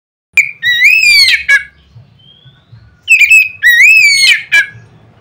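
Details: Oriental magpie-robin singing loudly to stir other magpie-robins: two bursts of bright, upward-sliding whistles with rich overtones, separated by about a second of near silence with a faint thin whistle.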